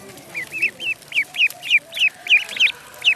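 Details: Duckling in a pond giving a steady run of short, high, bent peeps, about three a second, each sliding downward, with faint background hiss.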